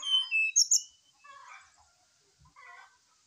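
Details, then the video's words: Agitated morning song of a brown-chested jungle flycatcher, used as a lure: sharp, high whistled notes at the start, followed by quieter, lower scratchy chattering phrases. "SIKATAN RIMBA DADA COKLAT GACOR DI PAGI HARI ,PANCINGAN SRDC"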